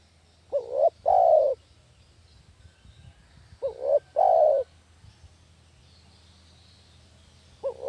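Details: Spotted dove lure call for catching doves: two complete phrases, a short rising double coo followed by a longer, slightly descending coo, about three seconds apart, and the start of a third; soft background rumble.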